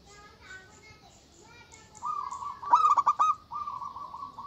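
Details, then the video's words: Local zebra dove with a strong voice, calling to rouse rivals: after faint background notes, a sustained low coo breaks into a quick series of pulsed notes, then resumes. "Suara Burung Perkutut Lokal Gacor Suara Besar Ampuh Memanggil Lawan Bunyi Emosi"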